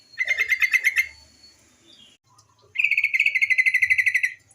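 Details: Female yellow-vented bulbul call used as a lure so young birds start singing: a quick buzzy rattle, a faint thin slur, then a longer, steady rapid chatter of harsh pulsed notes.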